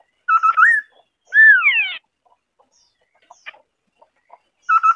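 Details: Singing white-browed scimitar babbler: a mellow wavering note rising at its end, then a long downward-swooping doubled whistle, a pause with faint clicks, and the wavering note starting again.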